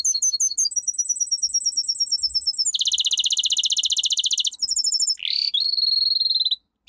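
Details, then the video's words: Domestic canary singing a powerful training song: high looping chirps, then a dense fast rolled trill, a brief high burst, and a final sweeping note drawn into a steady trill before falling silent. "Canary singing - 2 Canary 's most powerful song for training"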